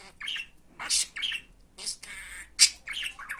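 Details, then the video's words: Talking budgerigar in a recording made to teach other budgies Turkish phrases such as "Hani benim fıstığım, benim aşkım, iyi günler"; high, scratchy, speech-like bursts and sharp squawks come in quick uneven runs, indoors. "Muhabbet Kuşu Konuşturma Sesi"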